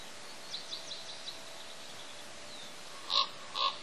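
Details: Raven visiting the Pelican Harbor bald eagle nest on Father's Day: two loud, harsh, harmonic calls close together near the end, preceded by a few faint, high, short chirps over a steady outdoor hiss.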